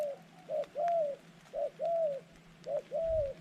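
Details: Dove decoy luring wild doves repeats a paired phrase, a short coo then a longer arching coo, about once every second, over a faint hum with soft background noise.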